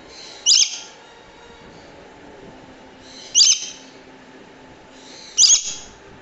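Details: Swainson's lorikeet uttering three piercing, raspy screeches, one roughly every three seconds, each brief and harsh with quiet pauses between.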